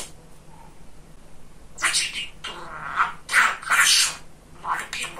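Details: Chatty pet male budgerigar indoors: after a quiet start, several rapid bursts of scratchy, voice-like babble with rising and falling tones, separated by short pauses.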